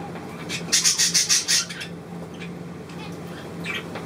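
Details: Two zebra finch chicks, recorded 4 June 2023, give a quick run of about seven harsh, high, raspy begging notes in under a second, over a low steady hum.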